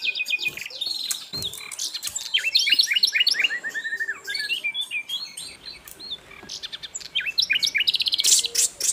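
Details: Lively Asian brown flycatcher song used for training cage birds, a busy stream of sharp high chirps, short upslurred whistles and quick chattering notes, steady and continuous throughout.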